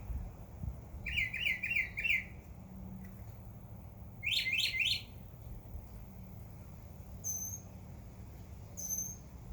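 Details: Summer backyard birds: a fast run of five rolling chirps, a later burst of three steep notes, then thin high whistles spaced apart, over a faint hum.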